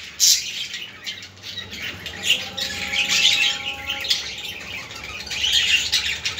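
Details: Budgerigar chatter meant to stimulate budgies: continuous high twittering and squeaky notes, with a sharp squawk at the start and a faint held tonal hum in the middle.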